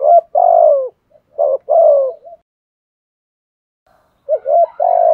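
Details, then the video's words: Spotted dove lure bird giving 'thúc gù' coos: two loud paired low hoots, a pause of about two seconds, then another quick pair. "Chim cu mồi thúc gù"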